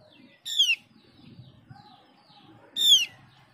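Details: Mees's white-eye, called opior jawa and found only on Java and Bali, sounding as a lure to spur other white-eyes into song: two clear, falling whistled notes about two seconds apart, light background murmur.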